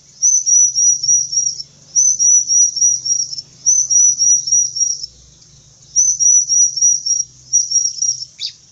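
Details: Bar-winged prinia, described as fierce, singing bursts of high, rapid rippling notes, each burst under a second long, with about five bursts separated by short pauses; a faint low hum runs underneath.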